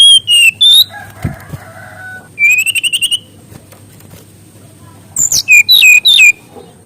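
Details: Mangrove whistler song, used as a master recording for training young birds: a clear whistled note, then a fast run of about eight rising whistles, then sharp slurred notes dropping in pitch.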